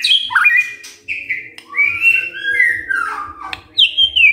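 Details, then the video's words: White-rumped shama singing a morning lure song meant to provoke silent shamas into answering: varied slurred whistles and quavering notes, some swooping up and down, broken by short gaps, over a steady low electric hum. "Pancingan PAGI-PAGI AGAR MURAI GACOR❗ murai diam pasti ikut NYAUT EMOSI❗❗"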